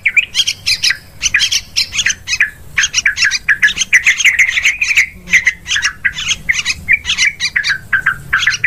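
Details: Lively, continuous chatter of yellow-vented bulbul, a lure recording for hunting birds in woods, rice fields and plantations: rapid bubbling notes and harsher squawky syllables in close bursts throughout.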